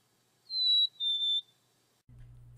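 Black-capped Chickadee giving its clear two-note whistle, a higher pure note sliding to a slightly lower one, followed by a brief low hum.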